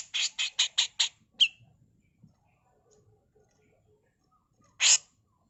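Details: Female grey-cheeked bulbul used as a tutor song: five rapid harsh, scratchy notes in a quick burst, a single sharper note, silence, then one longer rasp.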